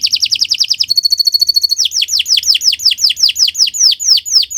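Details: Canary song used as a tutor for other birds: a fast series of falling notes, a bright chiming trill, then louder, slower downward-sweeping notes repeated about three times a second.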